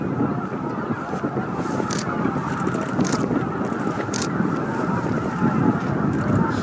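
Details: Greater white-fronted geese, about 15,000 birds, flying in to their evening roost at Miyajima-numa marsh, Bibai, Hokkaido, on 11 April 2016 between 18:00 and 18:30. A dense, continuous chorus of overlapping honking calls sits under heavy low rumble from wind or traffic.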